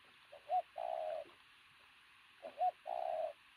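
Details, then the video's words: A muscular-looking pigeon known for a powerful coo calls twice, each time with a quick upward note followed by a long, even low coo, against a constant faint hiss. "bồ câu tướng lực sĩ,,Gù âm to cực tốt"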